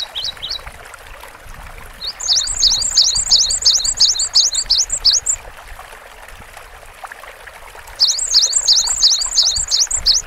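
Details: Cinereous tit repeating a fast, high, ringing two-note phrase in long strings of about ten. A brief snippet starts the clip, and a second strong burst follows after a pause.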